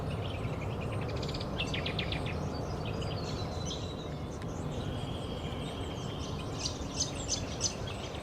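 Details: Variegated fairywren in Australia giving a quick series of high, trilled chips, then a thin sustained whistle and later bursts of sharp high notes, all over a steady low background rumble.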